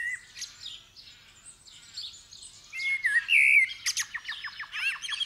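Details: At daybreak on 8 December 2019 a common blackbird sings in the dawn chorus, recorded in stereo on a Superlux 524D; a loud mellow whistled phrase swells midway and breaks into rapid squeaky high notes, with softer birds chirping throughout.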